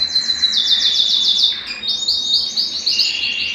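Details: Belgian canary song meant to warm up males and bring females into breeding: quick repeated descending chirps in a rhythmic series, brief break, then another fast chirping run.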